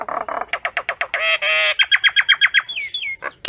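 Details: Common myna flock call: low croaks, a rapid series of evenly spaced harsh notes about four per second, a brief buzzy stretch, then two slurred whistles.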